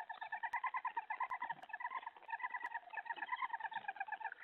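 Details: Nighttime food delivery of a mouse to an owl, 3:10 AM on 31 July 2017; continuous rapid chattering pulses through the whole stretch, with a few sharp clicks or knocks.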